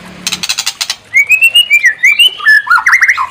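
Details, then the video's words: Song of a white-rumped shama, used as a provoking song to trigger another bird's full repertoire: a brief harsh rattle, then clear whistled notes rising and falling, ending in quick ringing flourishes. "Pancing EMOSI MURAI BATU BONGKAR ISIAN"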